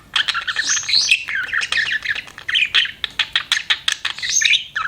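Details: Pet budgerigars chirping: a dense, continuous stream of warbling chatter and squawky notes, with quick sharp clicks and rapid bright twitters layered throughout.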